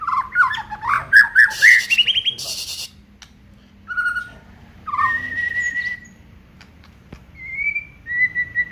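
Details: Aceh white-rumped shama in full song, showing off its repertoire. A quick rising warbled run comes with a short burst of hissing. Several separate long, steady whistled notes at differing pitches follow.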